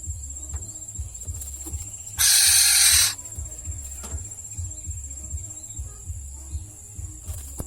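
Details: Pet black-naped oriole on Simeulue scolding over a late feeding: a single grating, noisy screech lasting about a second, then quiet with a low background drone and faint clicks.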